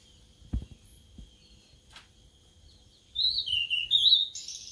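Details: Sulingan laut, a newly kept bird singing on its third day. Thumps and a brief scrape come first. Then a high, warbling whistle falls and rises before breaking into a buzzy, higher burst.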